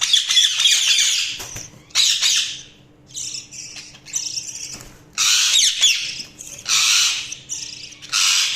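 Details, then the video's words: Budgies chirp in phrases of noisy, high warbled chatter broken by brief silences, some phrases buzzy and dense, others with clearer squeaky notes, over a low steady hum. "Budgies Sounds| Budgies Chirping sound"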